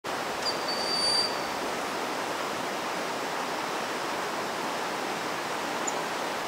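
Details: Broad-winged hawk at Selvatura Park, Monteverde, Costa Rica, on 6 November 2011, gives one thin, high, piercing whistle lasting about a second over a steady rushing background like running water.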